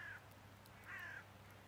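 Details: Little grebe (Tachybaptus ruficollis) at Lake Zbilje, Slovenia, on 2 December 2022, giving two thin, slightly falling whistled notes about a second apart, over a steady low hum.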